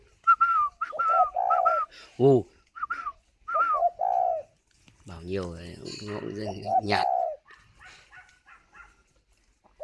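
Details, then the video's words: Incubating captive spotted dove in Ba Vì, Hanoi, Vietnam. Repeated short hollow coo phrases come from the bird while a man's voice keeps urging it to coo in Vietnamese, with a low drawn-out human vocal sound in between. "chim cu gáy hay vừa ấp vừa gù"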